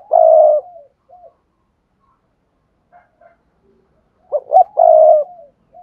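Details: Spotted dove giving the thúc gù coo, used as a lure for wild doves. A long low coo with a short tail note opens, quiet follows, then two sharp hoots and a second sustained coo.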